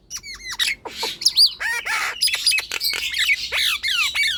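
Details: Nias hill myna song used to spur quiet birds into singing, with clear descending whistles at the start, then harsh squawks, looping whistled notes and dense chattering toward the end.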